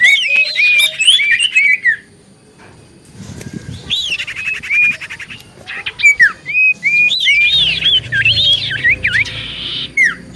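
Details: Common iora lure song meant to provoke answers: looping whistled phrases with buzzy undertones, a quiet gap, then further whistles and a dense closing passage of rapid wavering notes over low background noise.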